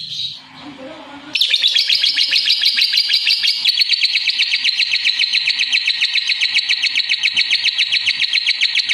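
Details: After a short quiet start, a lovebird launches into loud, sustained, rapid buzzy chattering, the notes pulsing quickly and steadily for several seconds.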